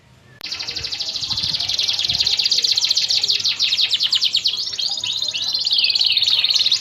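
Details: Canary champion-class master song for training pet birds; a long continuous high rolling trill with rapid repeated notes shifting in pitch, over steady background hiss and a faint voice early on.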